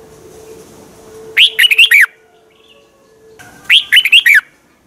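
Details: Red-whiskered bulbul song from Thailand, played to stir caged birds. Two short, bright phrases about two seconds apart. Each opens with a rising note, followed by four quick warbled notes that dip and rise. A steady faint hum sits underneath.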